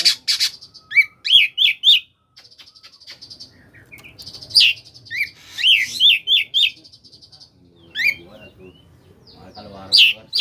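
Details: Oriental magpie-robin in koslet style, used as a lure to get reluctant magpie-robins singing; runs of bright, rising whistled notes repeated in quick series, with buzzy high trills between phrases and quiet gaps.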